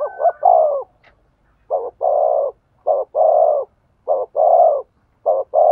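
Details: Cooing of a spotted dove to stimulate a male: regular low phrases, a short clipped note then a longer full coo, repeated about every 1.2 seconds.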